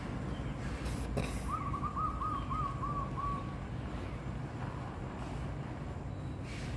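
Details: Zebra doves caught mid-chase. One bird gives a quick run of about seven staccato cooing notes lasting two seconds, steady in pitch and slightly fading, against continuous low-frequency rumble and a couple of brief clicks.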